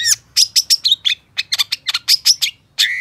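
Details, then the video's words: Long-tailed shrike (cendet, pentet) with gacor song: a rapid chain of sharp, high scratchy notes with thin whistled tips, a brief pause, then a final harsh buzzy phrase. "Suara Cendet Pentet Gacor DOR"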